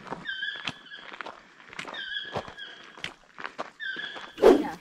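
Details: A toucan calls from ahead on a country road through pastures and forest from Playa Hermosa toward the Fila Negra mountains, Costa Rica: short, nasal, croaking notes about every one and a half seconds, over footsteps and rustling.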